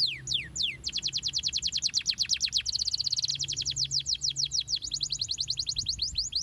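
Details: Canary singing to stimulate young canaries to sing and roll long. A few falling whistles lead into a sustained, very rapid roll of crisp downslurred notes lasting several seconds, ending with separate sweeping notes.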